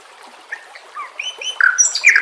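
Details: Short stretch of White-rumped shama song on a training recording with nature and trickling water: soft scattered whistled slurs rise into a louder burst of rich, tumbling notes at the end over a steady hiss.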